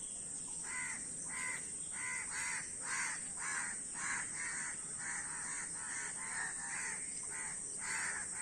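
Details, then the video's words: Many crows giving rasping caws, short harsh calls repeated roughly twice a second in a busy overlapping chorus, with steady background hiss. "অনেক কাক Crow Bird's Video | কাকের ভিডিও ও কাকের ডাক"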